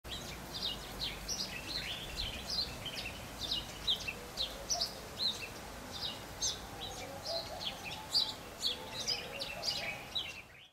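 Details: African silverbills at Saly, Senegal, in March 2010, several birds overlapping in a steady stream of short, high chirping notes, with a faint low hum in the background.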